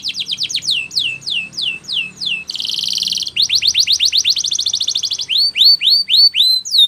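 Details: Spanish Timbrado canary song for training: clear descending whistled sweeps, a short buzzy rattle, then a rapid metallic trill and further looping sweeps repeated several times a second.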